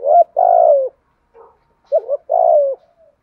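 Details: Spotted dove with the rustic giọng thổ voice, provoking rivals as a decoy: two rough, buzzy, falling coos, a soft mutter between them, and a wavering double note before the second.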